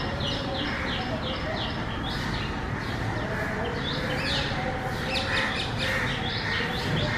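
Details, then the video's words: Varied common myna sounds, a series of clipped chirps and downslurred notes in bursts, with more twittering later, set against continuous low outdoor noise. "Different sounds of Common myna"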